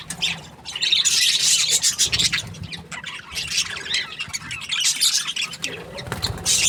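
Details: Happy budgerigar chirping: rapid, irregular stream of scratchy squawks and thin twitters, loud at first, softer mid-way, then rising again at the end.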